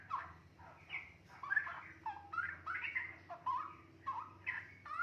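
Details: Juvenile straw-headed bulbul, two and a half months old, kept in a cage and starting long chattering 'riwik' phrases: rich liquid whistles, rising and falling slurs in quick bursts separated by brief pauses, faint low hum beneath.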